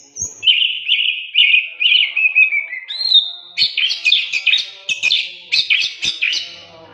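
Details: Prolific oriental magpie-robin song used for training: a high opening note, then a run of warbling whistles repeated several times a second, a sustained higher whistle, and a lively stream of scratchy, varied notes.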